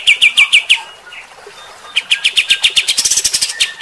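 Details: Kapas tembak bulbul in energetic 'mbeset' shooting song, delivered in harsh bursts meant to provoke fighter-type birds: fast runs of sharp, raspy chirps, a short quieter gap with a couple of thin notes, then another rapid harsh burst.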